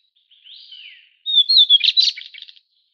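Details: White-browed shortwing of the Taiwan subspecies goodfellowi: soft, low sliding whistles swell into a bright, rapid, jumbled warble lasting about a second.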